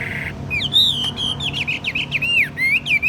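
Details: Captive Chinese hwamei, gentle and mostly tame, praised for its fine voice. It pours out varied whistles that sweep up and down in quick slurs, some high and some lower, over a constant low background hum.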